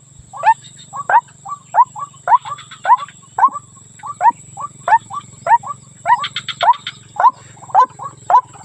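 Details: White-breasted waterhen, female, calling for the male as a lure sound: steady rapid series of loud, rising, hooked notes nearly twice per second, with occasional rattly bursts higher up and a persistent hum.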